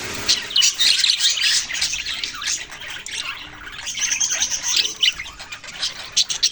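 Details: Budgerigars including youngsters chirping and squawking in a lively flock, high rapid notes overlapping, briefly easing mid-clip before rising again.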